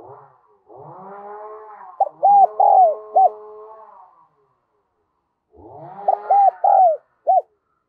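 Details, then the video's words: Spotted dove used as a decoy, calling to lure wild doves in the Đồng Son style: a soft rising hum, then a set of short, hollow cooing notes, repeated twice with a pause between. "Chim Cu Mồi Giọng Đồng Son gáy Gọi, Kích Bổi Cực Nhạy"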